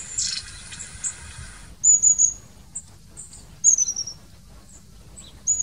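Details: Long-tailed tit calling in sharp, high, slightly descending thin notes in short groups with quiet gaps between.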